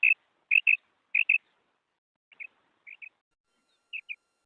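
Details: Female quail giving short high double chirps, three loud pairs in quick succession, then three softer, more spaced pairs fading out; nothing else audible.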